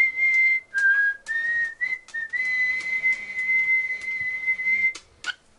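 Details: Pet male cockatiel indoors in Japan, trying to learn a tune that mixes the Mickey Mouse March and a Final Fantasy victory fanfare. It whistles clear, pure notes that step up and down, ending in one long held tone, with faint clicks.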